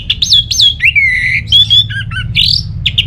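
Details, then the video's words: Orange-headed thrush, a kept bird used to lure silent birds at home into song, from northern Bali, Singaraja: loud varied phrases of whistled notes, sharp upslurs, a long level whistle and rapid buzzy trills, richly changing. "ANIS MERAH Mau Nyaut Gacor❗❗❗Pancingan Ampuh Buat Burung Dirumah yang lagi Malas Bunyi"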